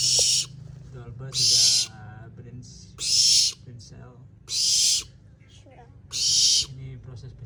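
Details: A young barn owl (Tyto alba), taken from a forest and being hand-fed, with its wings growing in, gives loud, harsh hissing screeches in the daytime. Each lasts half a second and comes about every one and a half seconds, with a man talking quietly between them.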